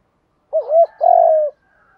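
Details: Single spotted dove cooing phrase for training decoy birds: a brief wavering note, then a sustained, slightly falling coo lasting about half a second, clean and without background sound.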